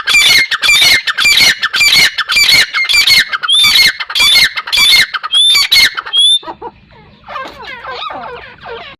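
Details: Strident squawking series from a partridge (teetar): harsh bursts roughly every half second, each carrying a thin high whistle. Faint lower calls and a low steady hum follow once the calling stops.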